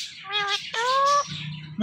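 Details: Indian ringneck parakeet giving harmonic squawking calls, a short nasal note followed by a longer, stronger rising-then-level squawk, with a low background hum.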